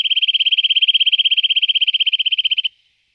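A Eurasian nuthatch gives a fast, even trill of about fifteen clear, high piping notes a second for nearly three seconds, then stops. No other sounds.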